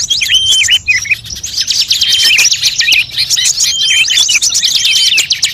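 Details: Blend of many songbird calls used for luring birds: busy high twittering and buzzy trills layered together, with a few level thin whistles and quick chirps, steady and loud.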